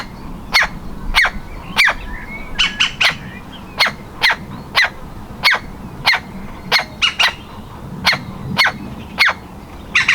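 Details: A baby woodpecker about to fledge, desperately trying to exit its nest hole, repeats loud harsh single calls roughly every half second, sometimes doubled or in short quick bursts.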